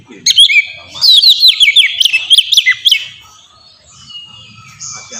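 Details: Oriental magpie-robin singing merdu ngeplong song used as a lure for kacer; a rapid chain of downslurred whistles for two seconds, followed by quieter faint notes.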